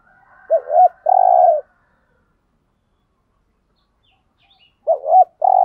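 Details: Spotted dove calling to draw in wild doves: a phrase of two short curved coos and a long mellow hoot, a faint thin tone behind it, then silence before the phrase starts again.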